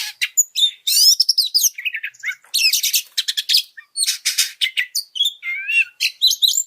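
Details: Oriental magpie-robin song used as a master recording to provoke and train other birds: rapid varied phrases of sharp high whistles, buzzy notes and chattering squawks, delivered in dense bursts with brief pauses.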